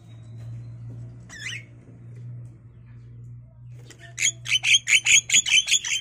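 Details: Five-day-old Javan myna chicks in a nest cage, fed in turn by both parents with grasshoppers and caterpillars: one squeaky note, then a rapid series of about ten loud, harsh, rasping calls, several per second, over a low steady hum.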